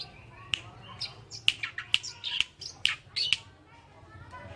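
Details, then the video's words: Oriental reed warbler, known locally as kerakbasi alis putih, recorded for song tutoring. It gives harsh, irregular chattering with sharp clicking notes and short squeaky phrases, about two bursts a second, over faint low background noise. "BURUNG MASTERAN KERAKBASI ALIS PUTIH ( Oriental Reed Warbler )"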